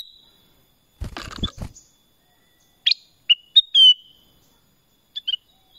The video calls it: Suara Kutilang Emas | BLACK CRESTED BULBUL